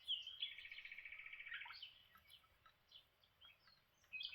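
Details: Lineolated parakeets at breakfast: a sharp squeak, then a fast buzzy pulsed trill lasting about a second and a half, followed by scattered soft chirps and another short high note at the end.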